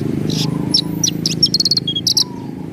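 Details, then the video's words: Lively gacor song of a Javan bush lark, ngerol nembak style. Quick high chips lead into a rapid burst of bright repeated notes and a short whistle, with a low hum underneath. "Masteran BRANJANGAN Gacor , Ngerol Nembak"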